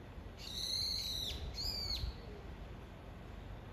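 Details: Two piercing, buzzy squeals from a brown-eared bulbul summoning its mate, each about a second long with a slight downward slur at the end, separated by a short gap in otherwise quiet surroundings.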